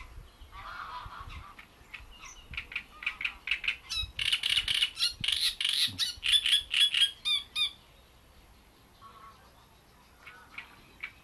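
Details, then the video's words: Great reed warbler singing at Bohdanečský pond: harsh, grating, croaking phrases in rapid bursts of repeated notes, building to a loud chattering series before falling quiet, then resuming softly. "Rákosník velký"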